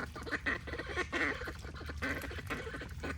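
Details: Duck quacking: nasal, raspy quacks in quick uneven bursts, several per second, over a steady low hum and trickling water.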